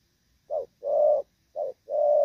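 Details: Spotted dove of the Thổ Pha type, moulting, giving a 'dàn rước' and 'nước gù' cooing performance. Low, mellow coos: two short notes alternate with two longer, drawn-out ones, with silent gaps between.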